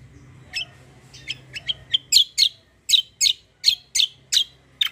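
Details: Black-winged myna with a combative rolling song: soft scattered chirps build into a regular series of loud, sharp, downslurred notes, a little more than one per second.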